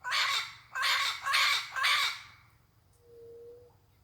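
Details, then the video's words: Wild parrot flying free in nature, uttering four coarse, grating squawks in a rapid series, followed by quiet and a faint steady tonal whine near the end. "Papagaio mostrando o seu lindo canto, solto na natureza."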